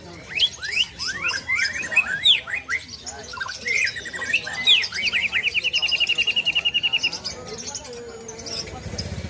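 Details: Greater green leafbird song including imitation of plaintive cuckoo: varied quick slurred whistles, then a long even run of rapid repeated notes, with background noise and a low hum near the end.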